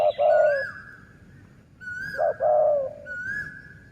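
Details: Decoy-lured dove cooing twice, each phrase a short note then a longer falling coo, overlaid by a higher, clear, slightly rising whistled call repeated three times.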